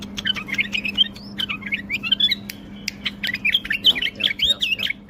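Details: Tame caged bulbul singing, a lively run of clear whistled and warbled phrases around upper-middle pitch, many short notes tumbling quickly; a steady low hum underneath and a man talking nearby.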